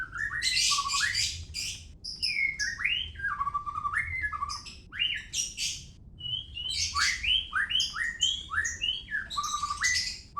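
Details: Rich song of a white-rumped shama from Medan, alternating loud rasping high chatter with clear whistled notes that rise and step down, phrases repeated in fast rhythmic runs, with little background noise.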